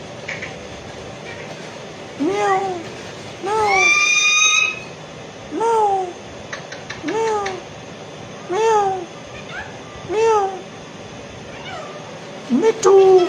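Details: Pet Alexandrine parakeet chattering indoors, repeating short arched meow-like calls roughly every one and a half seconds, one longer rising squawk, while a person speaks to it.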